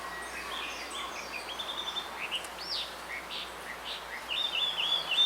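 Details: Male blue rock thrush calling for a female in a bamboo grove: scattered whistled and slurred notes, some looping up and down, growing louder near the end, with faint high ticking notes from another bird.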